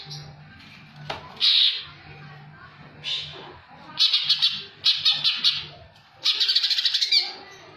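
A greater green leafbird sings five harsh, rattling, high bursts, each under a second, spaced one to two seconds apart, over a steady low hum.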